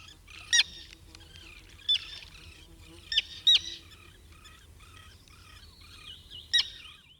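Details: A Common Tern gives harsh, grating, high alarm calls, used when it detects a threat or disturbance around the breeding colony, in five sharp bursts at irregular intervals over a faint low hum.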